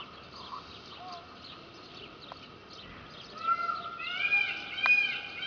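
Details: Captive peacock, Indian peafowl, at Opole Zoo in Poland. After a quiet, murmuring start, loud nasal calls with stacked harmonics rise out of the background in the last two seconds, several in quick succession, with faint chirps of other birds.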